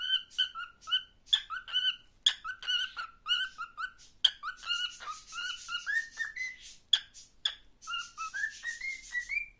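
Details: A pet cockatiel sings to a visiting grandmother, a string of clear whistled notes, short phrases repeated with rising slurred endings.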